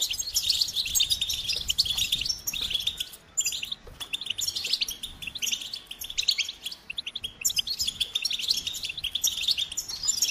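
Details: Goldfinch song in long bursts of rapid, high tinkling twitters and liquid trills, broken by a few short pauses, with the phrases rolling on almost nonstop.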